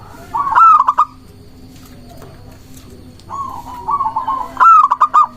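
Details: Local zebra dove singing, used to lure doves and provoke rivals into answering: two phrases, each a soft trilled coo near one pitch followed by a loud stuttering burst of clipped notes, with a faint steady hum behind.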